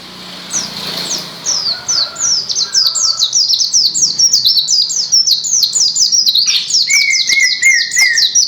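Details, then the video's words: White-eye singing vigorously, Gresik: after a soft start, a fast stream of high, falling chirps builds in loudness, with a steady lower whistle entering toward the end. "SUARA BURUNG PLECI GACOR"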